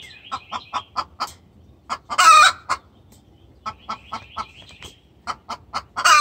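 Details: Hen sounding a distress call to the rooster: bursts of rapid clucks, each group capped by a harsh squawk, with high chirping whistles over the top.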